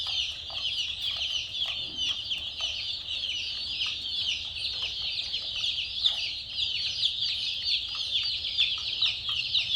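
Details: Numerous chicks chirping continuously, short high peeps piling up into a dense shrill chorus, with faint low background noise throughout.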